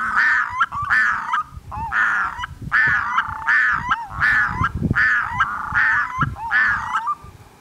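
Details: A swimming Red-throated Loon gives about eight harsh, nasal, goose-like calls, each ending in a brief upward hitch, roughly one per second. Low water or wind rumble sits underneath.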